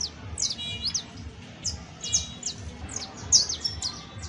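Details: Exemplary saffron finch song: crisp falling chirps, loud and high, some linked by a thin flat buzz, arriving in irregular groups about fifty times a minute, with faint low noise beneath.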